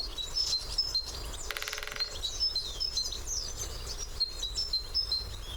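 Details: Male great spotted woodpecker drumming on a favourite branch, recorded with a parabolic microphone: one fast, even roll of knocks lasting about half a second early on, with sharp high whistles from other birds before and after.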